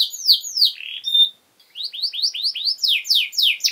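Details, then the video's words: Canary song as training material for young birds: descending whistled slurs, a short pause, then a steady series of quick rising-falling notes speeding into sharp downward sweeps. "Canary Singing!Masteran Kenari Gacor Durasi Panjang 1 Titik Bagus Untuk PAUD Cantante Canario Actual"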